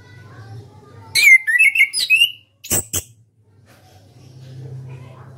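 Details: Orange-headed thrush, a celebrated national champion contest bird kept for song competitions in Indonesia, sings a burst of loud whistled and buzzy phrases with sharp downward sweeps and clicks, then falls quiet against a low background hum.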